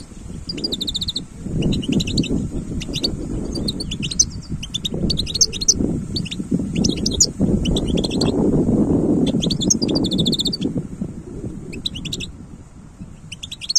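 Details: Wild European goldfinch singing: bursts of bright, tinkling twittered notes, some up to very high pitch, in phrases with short gaps, over heavy low rumbling wind or handling noise throughout.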